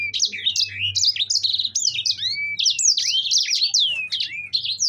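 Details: Continuous rolling song of a yellow-fronted canary, called sanger: quick high twittering notes, downward-slurred whistles and short trills run together without break, with a soft low background hum.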